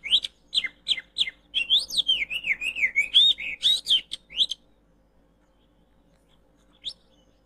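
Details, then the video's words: Oriental magpie-robin sound used as a lure for trapping birds: a rapid run of high, sharp whistled notes and warbled phrases for about four and a half seconds, then near silence broken by one brief high note. "Mikat kacer disini Mudah banget.!! Baru Pasang langsung Dapet"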